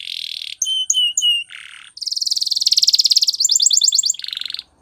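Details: Canary training song full of variety: a harsh buzz, three bright whistled notes, a lower rasping burst, a long rapid trill, a run of sharp chips and a final buzzy roll.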